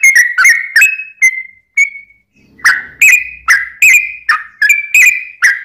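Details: Song of a sooty-headed bulbul, played to make other birds sing back: a run of short whistles, a brief gap with one soft note, then a steady string of bright whistled notes.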